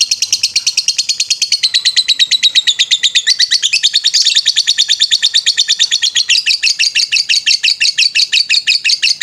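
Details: Long ngetrek song of a lovebird on a master recording for bird training: a sustained torrent of rapid, buzzy, high-pitched notes that rise and fall slightly in pitch without pausing.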